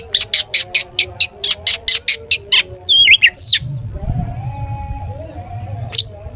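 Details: Long-tailed shrike in a lively singing bout used to prompt other shrikes into song: a fast train of sharp buzzy notes, roughly two per second, then a few squeaky whistled slurs before a quiet pause and one final note.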